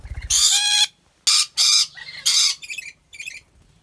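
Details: Captive rainbow lorikeet at a zoo in Aceh Besar, Indonesia: loud grating shrieks roughly once a second, followed by two softer, choppy chattering notes at the end.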